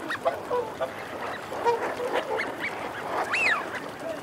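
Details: Eurasian wigeon, males and females, with females growling: mostly low growls and soft chatter from a flock, ending with one loud rising-then-falling whistle.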